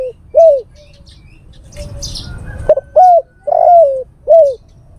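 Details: Male spotted dove calling a female, a lure call: a single mellow coo, a pause filled with brief rustling or wing-flapping noise, then a phrase of a short note, a clear coo, a longer wavering coo and a final coo.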